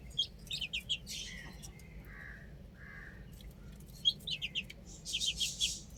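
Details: Chicks on a roof give bursts of high, quick peeping at the start and end, with a quieter middle stretch of softer, lower drawn notes.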